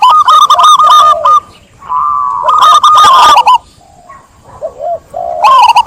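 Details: Zebra dove singing at close range: harsh, clipped runs of quick repeated coo notes, broken by brief pauses and a few softer, lower rounded coos before another loud staccato burst.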